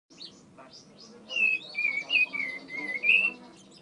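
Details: Tame bar-winged prinia singing persistently: after faint soft notes, a run of clear whistled notes with slight upward and downward slurs, about six phrases in quick succession over two seconds.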